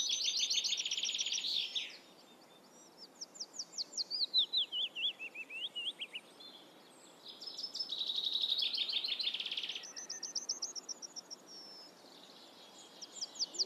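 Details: Black redstart singing: high-pitched phrases in which dense, scratchy rattling bursts alternate with rapid series of thin repeated notes and a wavering descending run, separated by short quiet gaps; faint background hiss only.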